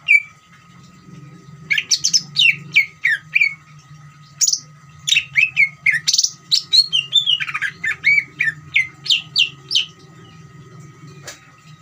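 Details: Leafbird song of the ngeriwik style, a greater green leafbird provoking other birds to sing; dense bursts of high chirps and looping whistles, one long descending warble near the middle, over a low hum.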